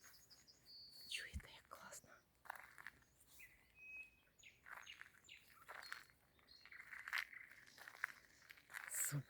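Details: A common nightingale sings beside a road to a summer cottage in early summer 2024, after rain, with varied whistles, sharp chirps and rapid trills changing every second or so; a woman speaks quietly, noting it copies other birds.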